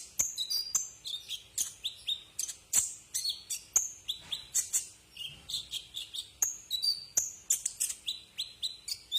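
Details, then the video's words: Brown-throated sunbird (kolibri ninja), tutor recording for caged birds: sustained, hurried twitter of thin, very high notes mixed with short downslurred whistles and sharp clicks, nearly continuous for the whole stretch. "masteran burung Kolibri"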